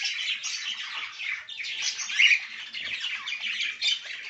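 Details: An albino cockatiel gives a continuous stream of harsh, screechy squawks and chatter.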